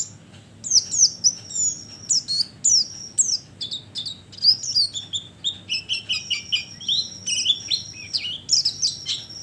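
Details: Bird-attracting lure of the oriental white-eye: a rapid twittering warble of high chirps and quick slurs that starts after a short quiet moment and runs on densely to the end.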